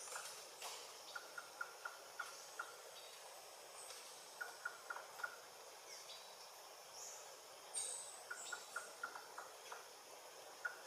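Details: Green-backed Trogon singing in French Guiana rainforest: three runs of short, even, mid-pitched notes, about five to seven per run, over a high hiss of insects and distant rainforest birds.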